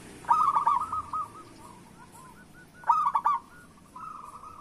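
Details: Zebra dove of local stock, recorded to coax reluctant doves into singing: two bursts of trilled, bubbling coos, each trailing into a softer run of repeated notes.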